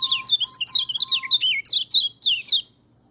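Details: White-eye song used as a training track for birds that rarely sing: rapid run of high, slurred whistled notes jumping up and down, about two and a half seconds long, with a steady low hum beneath.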